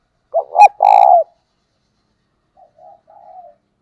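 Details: A spotted dove kept as a decoy to lure wild doves gives a loud, rough triple coo with a brief, bright clicking overtone. Soft, low coo notes follow after a pause.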